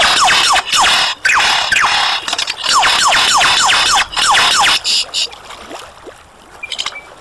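Superb lyrebird giving a rapid series of loud, ringing notes that sweep downward, several per second, over a steady hiss of background noise.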